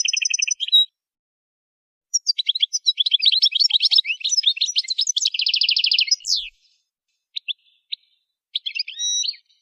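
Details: Goldfinch song for training: a short ringing stacked trill, a pause, then a long lively twittering run ending in a fast buzzy rattle and a down-slurred note, followed by scattered chirps and a short nasal tone.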